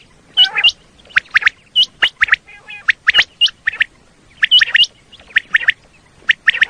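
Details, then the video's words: Common quail, a recording meant to attract quail for hunting in Pakistan: crisp hooked whistles in twos and threes, repeated steadily with brief pauses, and occasional lower chattering notes between them. "Common Quail Call"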